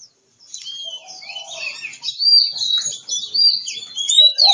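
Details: Oriental magpie-robin in Kebumen, Central Java, Indonesia, delivering a continuous varied song of high, sliding whistles and chattering notes that grows louder midway, ending with a short lower warble.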